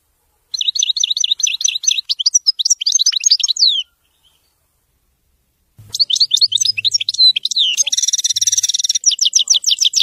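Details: European goldfinch singing in the wedani style: a fast run of high, bright, twittering notes, then total silence, then a second burst of rapid metallic chirps with a short buzzy, rasping stretch near the end.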